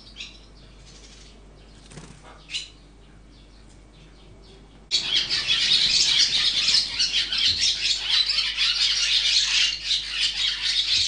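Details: Swallow chicks being raised in the nest: after about five seconds of quiet, a dense, loud chorus of high, buzzy chirping takes over and continues without pause to the end.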